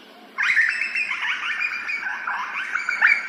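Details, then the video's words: Grey butcherbird singing in Australia, captured as an ambisonic surround recording: after a short quiet start, a rich run of warbled, fluting whistles with quick up-and-down slurs continues for about three seconds, ending in a sharper, louder note. "Grey butcherbird | Australian birds"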